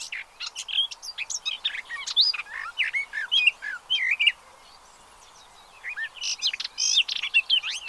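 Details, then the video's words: Pied avocets with chicks at Séné Nature Reserve, Gulf of Morbihan, France, 30 April 2023, recorded from a birdwatching hide: a dense chorus of sharp, hooked, upward-flicking notes, a short quiet pause midway, then more excited calling. "AVOCETTE Élégante/Poussins 2023 ! BRUITX"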